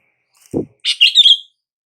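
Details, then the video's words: Single sooty-headed bulbul call phrase, used to coax silent bulbuls into responding: a dull low knock followed by a quick bubbly run of notes ending in a drawn-out slurred tone. "SUARA PANGGILAN BURUNG KUTILANG"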